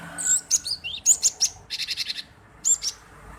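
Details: Male cinereous tit, its chirping used as a lure to provoke other birds to sing: bursts of very high, thin chirps and sharp trills, with a quick rattling series of notes in the middle and a pause before a final chirp.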